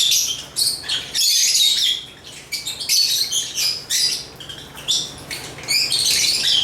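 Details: Agapornis lovebirds sing a busy stream of sharp, squeaky chirps, irregular and fast, with one short pause after the first second.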